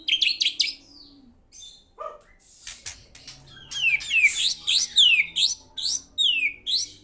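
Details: Actively singing white-rumped shama delivering a dense run of varied notes: chattering phrases, a lower call, then rapid repeated down-swept whistles, with faint background noise.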